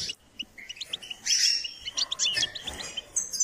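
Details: Goldfinch under song training gives quick bursts of high chirps and tinkling trills, rising into a brighter, louder twitter midway.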